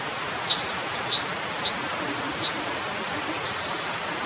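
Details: Brown dipper with four separate sharp, high chips about half a second apart, followed by a thin, drawn-out high whistle. A constant rushing noise runs underneath.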